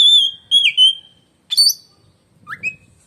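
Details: An oriental magpie-robin whistles shrilly: a long pure wavering whistle that dips and trails on, a sharp buzzy upward flourish, then a short rising note, as in its piercing contest singing.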